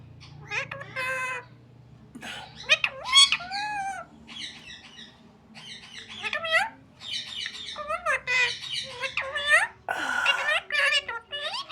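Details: Talking parrot indoors in a small room: a string of squawky, speech-like phrases with gliding, wavering pitch. Short bursts are separated by brief pauses, and a low hum sits underneath.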